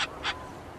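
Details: Short-eared owl alarm calls recorded in North Dakota, played from a field guide app: two brief, harsh, raspy barking notes about a quarter second apart, then quiet.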